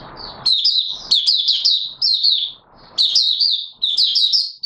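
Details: Caged Oriental white-eye (Mata Puteh Raja) giving its opening song, 24 March 2022: rapid high twittering phrases of sweet chirps in bursts of about a second, with short pauses and brief low rustling at the start.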